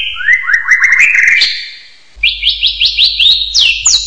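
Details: Hill myna: a run of short upward-sliding whistles climbing step by step, a short gap, then a higher series of quick rising notes ending in sharp upward sweeps.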